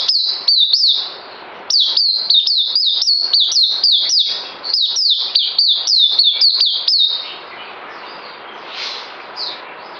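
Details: Song of a bird recorded 9 December 2018: brief opening notes, a pause, then a long fast run of high, clear whistles dropping in pitch, ending after seven seconds into quiet hiss with a few faint distant notes.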